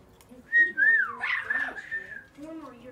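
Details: Pet female Blue-fronted amazon, age four, excited before being let out: a clear whistled note that rises and falls, followed by a softer, wavering, voice-like murmur.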